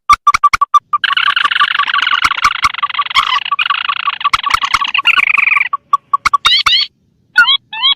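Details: Rail lure recording of mandar and tikusan birds: scattered sharp clicks, then a sustained grating trill of about five seconds, followed by ticks and short rising squeaky whistles in pairs.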